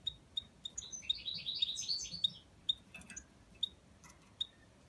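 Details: Goldfinch x canary hybrid: brief high chips lead into a short warbled, twittering phrase, then sparse chips resume, with faint low rumble behind.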